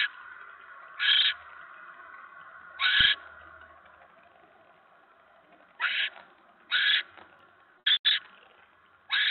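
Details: Barn owl filmed at its nest the evening of 10 November 2017 as a mouse arrives; scattered short hoarse hisses, a few seconds apart, then a quicker cluster, over a faint steady hum.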